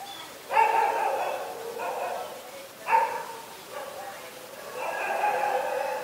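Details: Black-collared Starling (Gracupica nigricollis) at Ubon Ratchathani, Thailand, 24 October 2021, gives harsh, nasal, rasping calls in bursts about a second apart, some drawn out and wavering.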